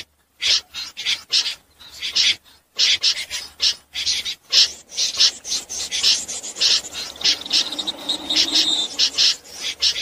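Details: Night calls of common snipe used to lure birds into trapping nets: rapid, overlapping raspy scraping notes running almost continuously, with a faint lower hum beneath in the second half.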